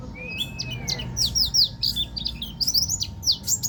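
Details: Ngeroll tembak song of a local Banten buktoni white-eye: a short rising-then-falling whistle opens a dense, fast tumble of high, sweeping, twittering notes. Faint hum in the background.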